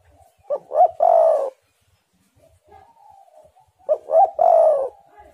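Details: Spotted dove song used to coax other doves into singing: two three-part phrases, each a pair of short rising coos and a longer, sustained coo, separated by quiet faint murmuring.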